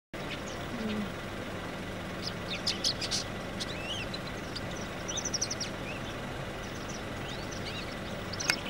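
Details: Indian silverbills feeding give short, high, thin chirps in scattered bursts, several birds calling together, over a steady low rumble of distant traffic.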